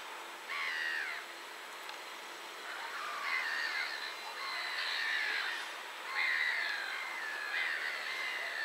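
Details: Gulls, several birds overlapping, give drawn-out mewing calls that slide down in pitch, repeated about every second; recorded at coordinates 51.754284, 20.223545.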